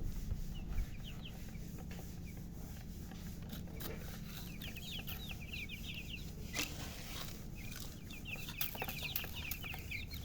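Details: Just-born chicken chicks chirping: bursts of rapid, high, down-slurred peeps in quick clusters, with sharp clicks and knocks and a constant low hum beneath.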